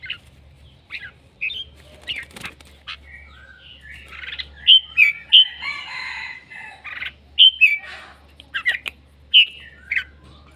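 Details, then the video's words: Red-whiskered bulbul, described as a much-loved male crying and chirping loudly, giving short bright whistled phrases around mid-high pitch, rising and falling notes in bursts every second or so, with soft low hum and a few clicks in the background. "Noog diab kaum lauj quaj thiab seej heev"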